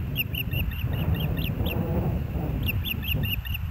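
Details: Ospreys at the Hellgate nest, 06/09/2024, 13:17: a steady series of short, sharp, high chirped whistles repeated throughout, over constant low rumbling wind noise.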